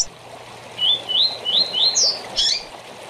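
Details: Double-collared seedeater short song for tournament training: five clear whistled notes rising step by step to a high slurred ending, followed by a scratchy twitter.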